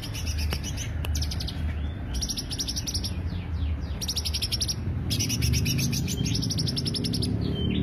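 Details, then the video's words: Greater green leafbird song used to lure birds, delivered as repeated bursts of fast, sharp high chirps with a few clicks, separated by short pauses, over a low hum. "pancingan suara cucak hijau"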